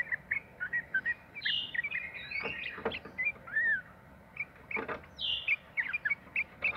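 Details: Sooty-headed bulbul delivering 'ropel' song as a lure for other bulbuls. Bursts of short chirps alternate with longer slurred, downward whistles and a brief quiet pause, against a noisy hiss.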